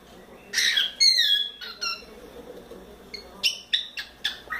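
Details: Playful four-month-old pet cockatiel on its playground and swing, giving loud whistled notes with sliding pitch, some harsh squawky syllables, and a quick series of short sharp chirps toward the end.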